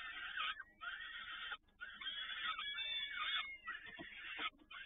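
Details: Peregrine falcons in Toruń on 7 May 2019 around 17:30, both parents feeding: loud rasping, screaming calls in long strained bursts broken by short silences.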